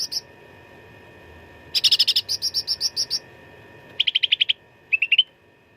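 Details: Cucak ranting in full fighting song for training songbirds for contests: dense series of sharp repeated notes around four per second, then a quick lower trill and a short rising flourish.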